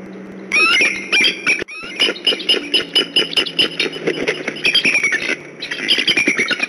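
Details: Bald eagle pair at the Decorah nest, upset and on alert in late November afternoon: repeated sharp high squealing chatter, rapid piercing notes run together in bursts, with steady background hum and clicks.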